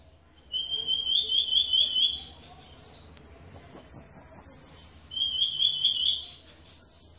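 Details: Negrito singing its "silvao" and "redoblao" song: slurred whistled notes climb in steps to a high, sweeping trill, then the rising whistles start over.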